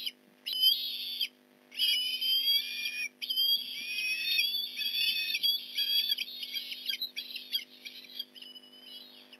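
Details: Osprey calling at its Port Lincoln nest as a fish is delivered, morning of November 15, 2019: strong, shrill whistled notes in long, almost continuous runs that waver in pitch. The calls break briefly, then start again, over a faint constant hum.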